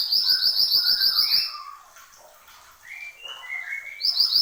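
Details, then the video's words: Horsfield's babbler in full persistent song, opening with a fast, ringing trill of high repeated notes over lower whistled slurs, a quiet pause, then gliding whistles and a renewed rapid trill at the end. "SUARA BURUNG MANTENAN GUNUNG GACOR"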